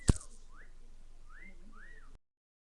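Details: Pet cockatiel on a computer desk, whistling three soft arched notes that rise and fall, after a sharp click at the start. Steady background hiss throughout.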